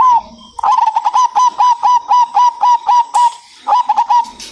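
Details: Local zebra dove delivering a long, evenly paced series of about fifteen short rolled coos, then a brief stuttering phrase, loud and close over a faint hiss.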